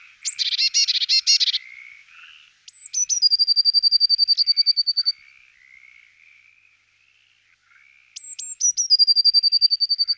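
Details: Eurasian blue tit opening with a dense buzzy burst, then high sliding notes that run into a long, even, rapid trill, followed by softer low notes and a second high-note-and-trill phrase.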